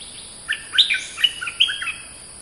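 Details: Oriental magpie-robin singing short whistled and chirping notes in scattered bursts, some rising and falling, with a steady high hiss behind.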